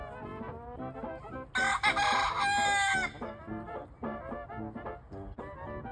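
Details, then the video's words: Young Leghorn cockerels, two months old, giving a morning crow: one loud, rough, drawn-out crow lasting about a second and a half, set among continual clucking and low calls from the flock. "Good Morning crows from our 2 month old LEGHORNS!!"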